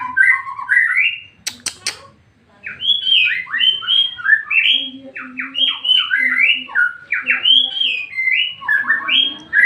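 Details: White-rumped shama in rapid, varied song meant to provoke another shama: after a couple of sharp clicks, a long continuous stream of quick rising and falling whistled notes.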